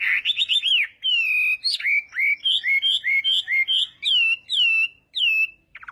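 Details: Chinese hwamei in morning voice training for song contests, giving a varied sequence of clear slurred whistles, mellow level notes and upward flicks with short gaps.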